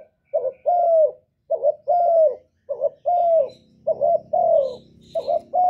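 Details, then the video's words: Spotted dove cooing steadily, used to stimulate caged birds to sing. Paired coos with a long, downward-sliding second note repeat regularly, with a faint low rumble in the middle section. "Cu gáy lớn tiếng, không tạp âm, giọng hay dễ mở, cu gáy kích bổi, cu gáy đi bẩy, cu đất gáy, cu cườm"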